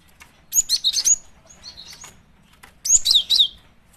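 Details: Lure calls of a female cinereous tit: a quick cluster of sharp, high chirps, then softer thin notes, then a second bright chirping burst, all very high-pitched with little background noise.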